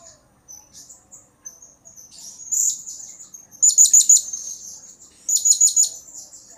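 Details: Serindit, the blue-crowned hanging parrot, calling actively as a lure recording meant to make other birds answer. Soft high twitters build to two loud rapid bursts of four sharp, piercing notes.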